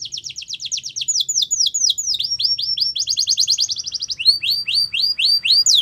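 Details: Yellow canary singing in the wild, a long run of rapid downslurred whistles in repeated tours that shift speed and pitch, some fast rattling phrases, then slower sweeping notes.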